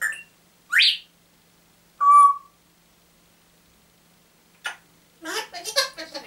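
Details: A pet African grey parrot, Roma, who gets up very early and wakes everyone, gives a quick rising whistle and a steady tonal note, then raspy bursts mimicking a dog's bark; a person speaks nearby.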